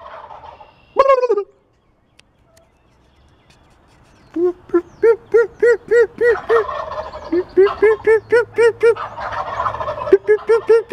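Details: Wild turkeys, a flock with lots of fighting and purring going on. One gives a sharp opening note, then a fast run of raspy, sliding yelps, about four a second, over a faint hiss. Coyotes are reportedly audible in the background.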